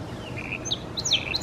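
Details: Song sparrow singing in Salmon Arm, British Columbia: a short burst of high, sharp whistled notes and quick downslurred chips over steady low background rumble.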